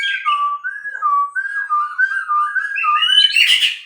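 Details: White-rumped shama song: a continuous run of clear, slurred whistled phrases wavering and rising in pitch, ending in a brief burst of harsh, scratchy notes.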